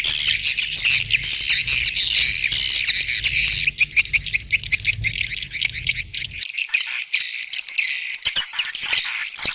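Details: Swiftlets' mating call: dense, buzzy high chatter for about six seconds, then it thins to scattered sharp clicks and brief twitters.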